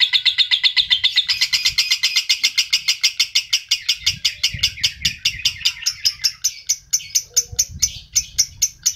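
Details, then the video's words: Adult lovebird in a recording meant to stimulate other adult lovebirds, giving a long, fast, high buzzy trill of evenly pulsed notes that begins loud and slowly drifts higher and thinner, with faint low thumps beneath. "PERANGSANG PANCINGAN LOVEBIRD DEWASA"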